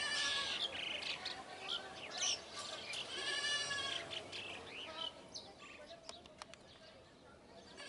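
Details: Flock of Brahminy starlings calling together: overlapping harsh, nasal, harmonic notes and bent squeals crowd the air, fading in and out without a steady rhythm, louder in the first five seconds and then thinning.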